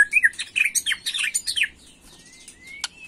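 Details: White-rumped shama singing agitatedly in the macul style, a rapid chattering string of varied chirps and slurred notes for about a second and a half, then a long thin rising whistle and a click.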